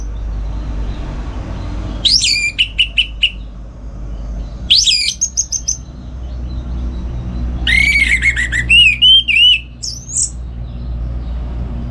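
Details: In the morning at a home in Singaraja, North Bali, an orange-headed thrush sings ngeplong to tutor other songbirds: three bursts of quick rattling notes with a whistled sweep, the last running into a longer run of looping whistles.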